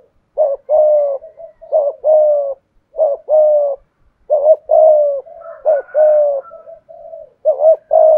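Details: Spotted dove used as a decoy, 'giọng thổ' style: repeated two-part phrases, a clipped note then a longer mellow coo, with softer trailing coos between, and a brief higher sound in the background.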